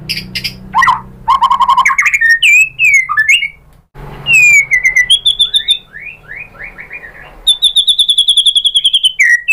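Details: White-rumped shama song used to provoke rival birds: harsh rattling bursts, then varied slurred whistles, a run of descending notes and a long rapid series of evenly repeated high whistled notes.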